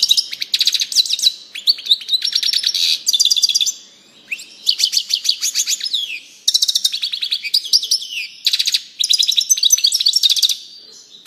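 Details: Goldfinch song in near-continuous high, bright twittering phrases of fast repeated metallic notes, buzzy trills and liquid slurs, with brief gaps every few seconds; clean recording with no background noise.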